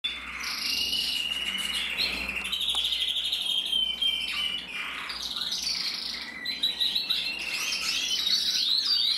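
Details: Male canary in black-red mosaic (schimmel) colouring from a German canary breeder, singing a continuous, varied song of rapid trills, slurred rising notes and buzzy rolls, mostly high-pitched, with a steady low hum beneath.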